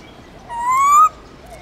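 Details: A black-throated laughingthrush from the Central Highlands, singing in its "forest voice", gives a single clear whistle that rises slowly and lasts just over half a second, with faint background hiss.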